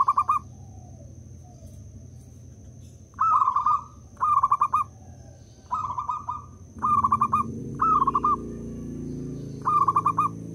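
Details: A local zebra dove is used as a calling decoy. It gives about seven brief, clipped bursts of fast, bubbling coos separated by short gaps. A low rumbling noise rises in the second half, over a faint high whine.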